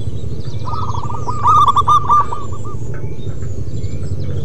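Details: Local zebra doves singing: a fast string of cooing notes with a brighter, trilled central burst from a nearby bird, fainter doves calling around it, and a constant low-pitched rumble.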